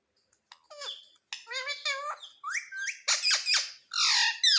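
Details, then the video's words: Indian ringneck parrot speaking "mummy": clipped harmonic syllables with sliding pitch, followed by louder, raspier, noisy bursts and a final drawn-out harsh note. "MUMMY BOLNE WALA TOTA - BOLNE WALA TOTA - TALKING PARROT"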